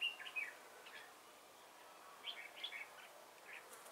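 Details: Red-whiskered bulbul decoy singing a fighting challenge during bird trapping on 1 December 2016; short bright chirpy phrases, a cluster at the start, then a burst of quick tweeted notes after a pause, over faint background hiss.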